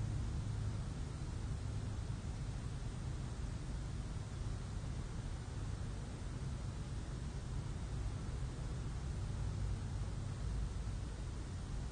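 Steady low rumbling noise like distant traffic or wind fills the recording, with no animal calls.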